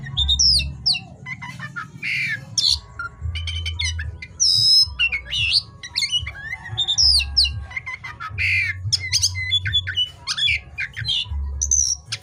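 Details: Energetic night song of an oriental magpie-robin: rich repeated whistled phrases, upward swoops and brief harsh notes in a continuous flow, over a soft low hum.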